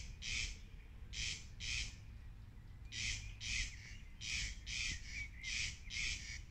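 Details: Corn crakes singing at Lammassaari duckboards in Viikki, Helsinki, Finland, on 19 May 2020: harsh, rasping double notes, crex-crex, repeated in paired bursts roughly every second, over a steady low rumble.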